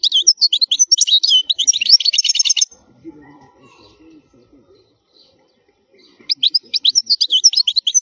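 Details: European goldfinch in strong wild khalwi song, meant to teach fledglings: an extended rapid twittering phrase ending in a regular buzzy rattle, a quiet pause with faint low noise, then another bright run of high chirps.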